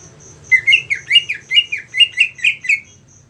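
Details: An agitated, fired-up ("ngentrok") greater green leafbird pours out about nine quick, twisting chirps, roughly three a second, over a thin, steady high whine; the song is meant to rouse other leafbirds.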